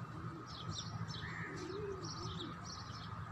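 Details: Pigeons and doves in nature: low, soft, rising-and-falling cooing notes around the middle of the clip, with thin high chirps from other small birds and a steady background hum throughout.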